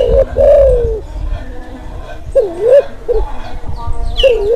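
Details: Breeding-mood Kelantan spotted dove, a call meant to stir quiet doves and lure wild ones; a drawn-out falling coo followed by shorter wavering coos, with quiet gaps and a faint high chirp near the end.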